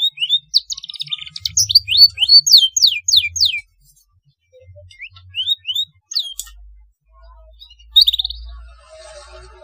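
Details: Black-throated canary singing as a tutor for young canaries: a quick series of sharp down-slurred whistles, then rising whistled notes after a pause, with a faint low hum in the background.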